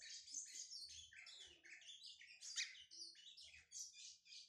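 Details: Brown-plumaged lined seedeater from Pernambuco, Brazil, just beginning to sing: a dense, continuous run of rapid high twitters, chirps and short buzzy notes with a few sharp accented peaks, with faint low hum underneath.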